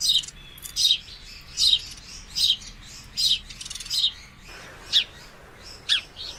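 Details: A male sparrow watching two female sparrows fight gives bright, high chirps, one roughly every second, about eight in a row, with slightly sharper single notes at the end.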